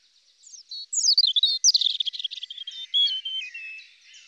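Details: A European robin (Erithacus rubecula), a Russian forest bird, sings a thin, high, wistful phrase of quick tinkling notes and short falling trills that shift in pitch, with no other sounds behind it.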